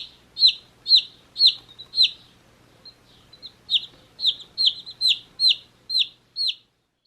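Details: One-day-old domestic chicks playing in a beach hat, giving loud, high, downward-sliding peeps about twice a second. Two runs of calls are separated by a brief quieter stretch of softer cheeps, with a faint low hum underneath.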